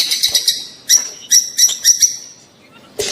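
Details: Rosy-faced and Fischer's lovebirds giving mating calls meant to stimulate the female to breed: loud, shrill, high chirps in quick bursts, some drawn into short ringing notes, with brief pauses between.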